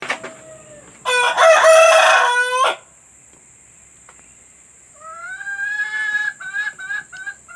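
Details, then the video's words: Chicken sounds recorded to be played to hens about to lay: a loud, harsh rooster crow lasting about a second and a half. After a quiet gap comes a run of rising, nasal hen notes, some drawn out and some clipped short. "Suara pemikat ayam betina agar mau bertelur"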